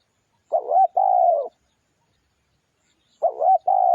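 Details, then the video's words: Spotted dove song used as a lure. Two identical cooing phrases about 2.7 seconds apart, each a quick wavering coo followed by a drawn-out, slightly falling hoot, with silence between them. "tiếng chim cu gáy mồi kích bổi nhanh nổi cực mạnh"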